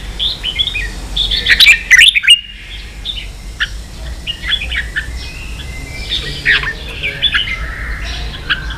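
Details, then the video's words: Red-whiskered bulbul song in the 'ché' style, played to train young birds to sing: quick bright chirps and short warbled phrases, clustered between two and four seconds' intervals, with a sharp burst near two seconds and faint rural background hum. "luyện chào mào ché.kích chào nào hót ché căng lửa.kich chao mao boi hot เสียงฝึกลูกนก | นกปรอดหัวโขน"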